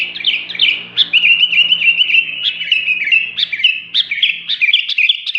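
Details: Lively sooty-headed bulbul song: a continuous chattering warble of bright, quickly repeated notes threaded with short rolling trills, keeping a steady high pitch throughout. A faint low hum sits underneath.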